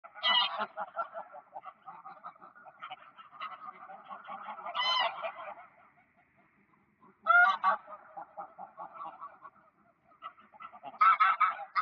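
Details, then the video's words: Greylag geese on the ponds of Park Poleski, recorded 1 October 2024, giving a chorus of nasal honks, some loud, separate bursts standing out over steady overlapping gabbling from the flock. "Gęsi gęgawy na stawach Parku Poleskiego"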